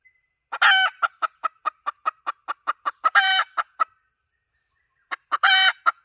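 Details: Domestic hen call used as a lure: a run of short sharp clucks about every quarter second, broken by two long, loud, harsh drawn-out cackles, one near the start and one late, on a quiet background.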